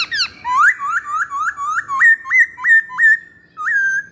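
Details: Masked laughingthrush song used to lure or train birds: a harsh opening squeal, then a steady series of clear whistled notes, each sliding sharply upward then leveling, repeated roughly three times per second in a quiet setting.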